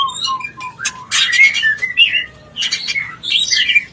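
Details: White-rumped shama in mating call, intended to bring a bird into breeding condition: soft low whistles followed by loud harsh bursts and bright rising whistles, given in short spaced phrases.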